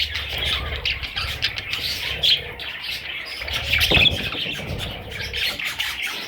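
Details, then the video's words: Parrot babies squeaking and chirping in a busy overlapping chatter, with a louder sharp squawk near the middle and low rumbling noise underneath. "Parrot little babies"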